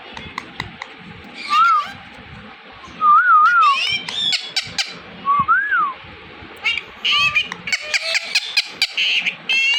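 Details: Indian ringneck parakeet copying speech, heard as short wavy whistles repeated several times among bursts of high chattering syllables and clicks, with quiet gaps between phrases.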